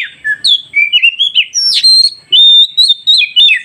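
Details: Oriental magpie-robin song used to get newly caught wild birds to respond quickly: a rapid, varied run of loud whistled and chirping notes, some sliding up and down, with short gaps between phrases.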